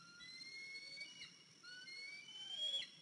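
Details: A limping 103-day-old eaglet, returned to its nest the morning of 14 April 2023 after fledging, calls with short high thin whistles in quick succession over faint background hiss.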